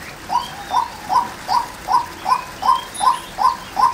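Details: Ten short, rising mid-pitched notes from a female white-breasted waterhen, repeated rhythmically about every 0.4 seconds against a quiet background.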